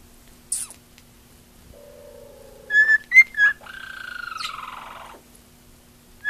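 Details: A female pet cockatiel that loves attention whistles: a low steady note, then short bright whistles near two seconds in, followed by a long level whistle with a sliding upper tone and a final sharp whistle.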